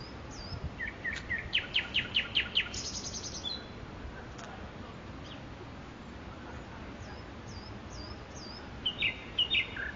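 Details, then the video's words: In Makui park a nightingale sings a quick series of sharp rising notes and a buzzy phrase, goes quiet for several seconds, then adds thin upslurred whistles and a few loud chirps. "صدای بلبل"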